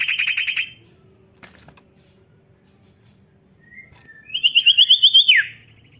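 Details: Common Iora singing vigorously, the kind of recording used to stir lazy birds into song: a buzzy trill fades out, a pause follows, then a rapid whistled trill of about nine notes that ends in a sweeping downward slur.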